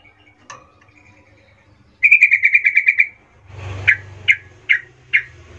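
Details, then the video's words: Sooty-headed bulbul lure song used to call companions: a rapid run of about eight bright, high chirping notes, then four separate sharp notes spaced under half a second apart, over a low background hum. "suara pancingan trucukan gacor Ngerol memanggil teman"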